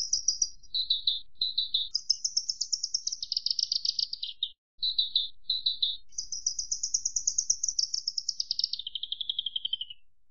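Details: Javan bush lark (branjangan) song: high, thin, buzzy trilled phrases, some held steady, others falling slightly, with short pauses between segments and a faint low rumble underneath.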